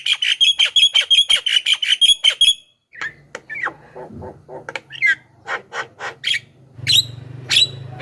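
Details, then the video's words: Lure recording of a Javan myna: a quick series of about ten ringing, harmonic whistled notes, then a varied jumble of clicks, short squawks and rasping notes, with a low hum returning at the end. "SUARA BURUNG JALAK KEBO"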